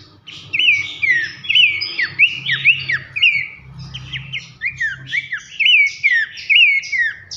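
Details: Abbott's babbler singing a loud masteran for tutoring contest birds in the nyiul style: rapid, irregular whistled phrases that swoop downward, about two notes a second, mixed with short buzzy notes, over a quiet low drone.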